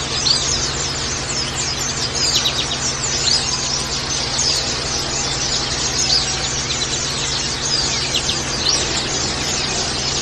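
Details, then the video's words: A dense chorus of white-eyes, a colony-therapy audio for caged white-eyes, fills the air with high, thin twittering and rapid chirps, overlapping without pause above a steady low hum. "terapi pleci agar buka paruh"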